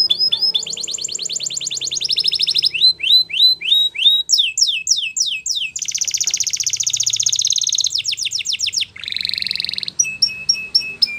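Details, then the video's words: Russian canary singing a flute-style training song: varied tours of rapid repeated notes, from descending chips to buzzy rolls and a dense trill, switching every second or two, then steady high whistled notes at the end. "Russian Canary Flute Singing"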